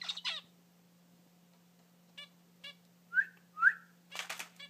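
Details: Three young zebra finches, about three weeks old, just out of the nest and flying, give raspy, nasal calls, mixing buzzy bursts with short squeaky notes.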